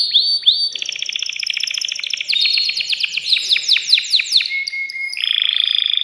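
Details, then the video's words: Male canary in a cage, excited and stimulating a female to mate, sings a loud rapid trill of clipped notes, then sustained whistled tones at changing pitches. "تغريد ذكر كناري هائج يريد تكسير القفص يحفز الأنثي لتزاوج"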